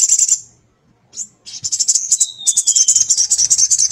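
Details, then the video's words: Kept male sogon, a small bright nectar-eating bird, calling to a female: very high, rapid, rattling chips in short bursts, then a long, fast chattering series with a thin, descending whistle running through it. "Sogon Jantan Gacor Memanggil Betina"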